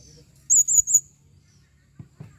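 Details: A female blue-crowned hanging parrot calls in 2021: a quick, very high, wavering trill in three pulses, followed by a couple of faint low knocks.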